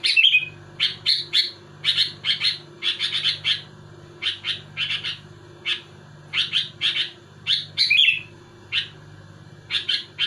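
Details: Sooty-headed bulbul delivering dense, pressing song meant to rile rival bulbuls: rapid chains of short chirps in twos and threes, with a few rolling warbles, almost without pause, over a steady low hum.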